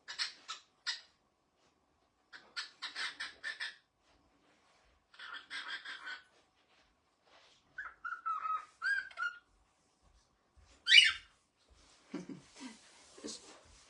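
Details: A pet cockatiel indoors, showing off a new sound, gives bursts of scratchy, buzzy chatter and a few clear whistled notes.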